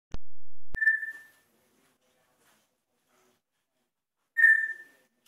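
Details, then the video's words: Pet African grey parrot doing mimicked sound effects indoors: two sharp clicks, then a short clear whistled note that falls away, a long silence, and a second matching whistle. "African Grey does sound effects"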